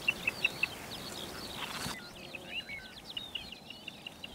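Little ringed plover giving short, sharp high piping notes in quick series, several other bird calls and twittering in the background.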